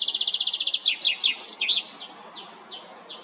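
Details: Common chaffinch in Geneva, Switzerland, singing for territory and mates at La Perle du Lac: a rapid series of even notes, then a few louder slurred notes ending in a flourish near 1.8 seconds, followed by soft thin whistles.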